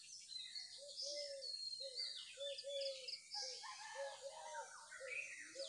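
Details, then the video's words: Birds in a morning chorus: high, busy chirps and twitters over short, low, mellow notes repeated roughly twice a second. "the chirping of birds"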